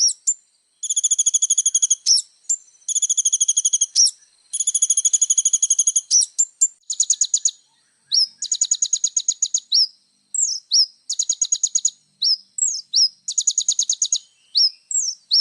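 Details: Little spiderhunter singing actively in full 'isian' style as a tutor recording: long, very high, buzzy trills of one to two seconds alternate with faster rattles and quick down-slurred whistles throughout.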